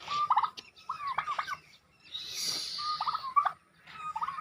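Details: Turkeys giving short, rapid gobbles, repeated roughly every second as quick, stuttering bursts, with a brief hiss of background noise in the middle.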